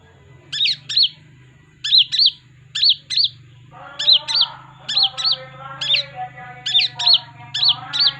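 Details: Kolibri ninja, a brown-breasted sunbird kept as a home songbird for luring: high sharp chirps in pairs, repeated about once a second, with a low steady hum and faint lower chatter behind.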